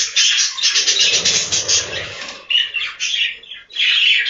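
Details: Many captive budgerigars in a breeding room on a budgie farm, chattering together in a dense, scratchy wall of chirps and warbles, with brief louder bursts after a short dip midway.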